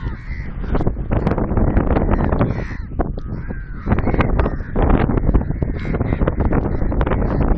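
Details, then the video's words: Group of crows at Sindhrot check dam: repeated hoarse caws, some drawn out and slightly falling, from several birds at once, against constant low wind roar and crackling. "Crow bird group caw call sound effects near Sindhrot check dam, कौवे की आवाज"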